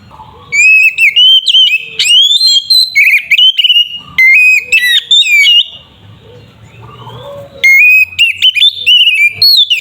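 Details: Oriental magpie-robin in ngeplong fighting song, used to provoke other magpie-robins into aggression: loud clear whistled phrases with rising slides and sharp upswept notes, delivered in bursts with a quieter gap midway; recording heavily overloaded.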